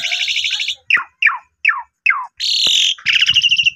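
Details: Asian pied starling in vigorous song, used as a lure recording to prompt other starlings to sing. The song opens with buzzy, rattling notes, runs through a series of descending slurred whistles, then gives a harsh buzz and pulsed chattering.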